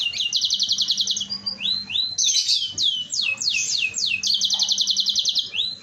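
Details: Gacor canary lure song to prompt other canaries to sing: rapid rattling trill bursts, then a run of swooping rising-falling whistles repeated several times per second, dense and bright throughout.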